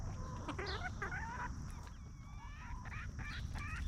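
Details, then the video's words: Roaming free-range hens on a natural farm make rapid overlapping nasal clucks and warbling tonal calls, a few birds chattering together, above soft low background noise. "Chickens Roaming, Snacking & Clucking"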